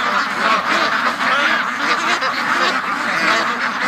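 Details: A flock of pen-kept domestic ducks, restless to be let out in the late morning, keeps up a continuous chorus of coarse, overlapping quacks that rise and fall slightly in loudness.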